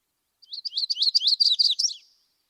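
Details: Audubon's Yellow-rumped Warbler in summer in southwest Idaho sings a short, steady, slurred warble of high compressed phrases in two to three series with little pitch change, fading at the end.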